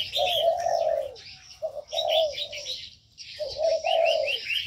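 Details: Captive ornamental birds in an aviary: long low cooing notes and shorter coos in groups, mixed with clusters of quick high chirps from smaller birds.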